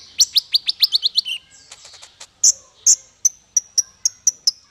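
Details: Male konin song used to train songbirds: a rapid series of high down-slurred notes, a pause, then evenly spaced bright chips repeated roughly every quarter second.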